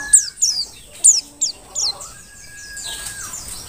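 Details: Mountain white-eye, a Merapi forest-type bird singing actively for use as a tutor for other birds: a few sharp, high, downward-slurred chips in a quick cluster, then a quieter thin trailing twitter.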